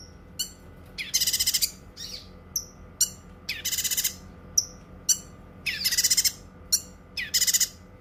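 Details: Cucak kinoi singing for tutoring and therapy, alternating loud pulsed trills with sharp high chips and whistled notes at a lively pace.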